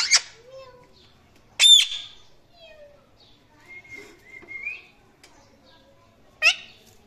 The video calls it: Indian Ringneck Parrot Chirping and Making Sounds